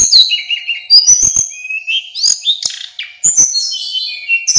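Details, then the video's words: Male Hill Blue Flycatcher, a local bird, singing nonstop as a tutor recording for other birds: bright, warbled whistles that rise and fall, with quick clicking ticks scattered between the phrases. "Burung sulingan gunung lokal full gacor"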